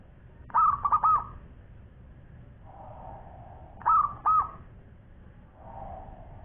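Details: Local zebra dove singing strongly: a rolling phrase of three or four mellow coos, then a shorter two-note phrase three seconds later, with softer low murmuring sounds in the gaps.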